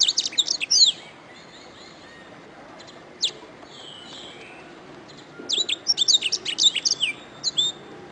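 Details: Canary song recorded as a masteran, a training recording for teaching other birds to sing: a fast burst of high, sharply sweeping chirps, a lone note after a pause, then a longer run of rapid twittering trills over faint background hiss.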